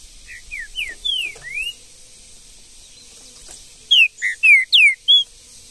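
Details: Green-winged saltator singing in the bush, described as full of vigor: a soft run of short whistled slurred notes, a pause, then a loud phrase of five clear whistled notes, mostly down-slurred, over faint background hiss.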